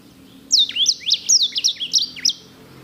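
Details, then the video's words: Sanger singing clearly and loudly: a quick run of high whistled notes with steep swoops down and back up, about ten notes in under two seconds. "KICAU SANGER GACOR JERNIH VOLUME PEDAS!"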